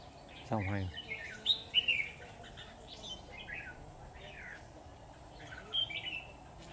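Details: Red-whiskered bulbul decoy singing from its cage at a trap: faint, scattered chirpy whistled notes after a brief loud voice, with a man's speech and steady background hiss.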